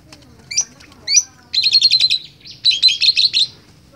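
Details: Young Asian pied starling learning to chatter: short buzzy chirps, then rapid bursts of harsh rattling notes in two runs, with a faint low hum behind.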